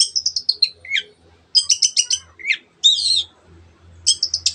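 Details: Long-tailed shrike in 'teot teot' song used to rouse other birds: fast trains of high, clipped repeated notes, a falling slur, a squeaky twisting phrase, then another quick repeated series, over a low hum.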